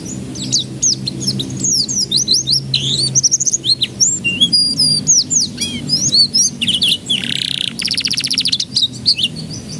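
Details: Canary singing, used as a lure so young canaries begin singing sooner; long varied stream of chirps and slurred whistles, with buzzy trills and a rattling burst late in the phrase.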